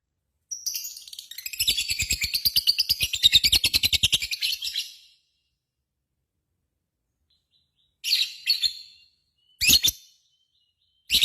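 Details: Lovebird in full 'ngekek' voice, its long 'koekk' chatter: a rapid, shrill, buzzy trill of evenly spaced notes lasting about four seconds, then silence and three short harsh bursts of squeaky notes.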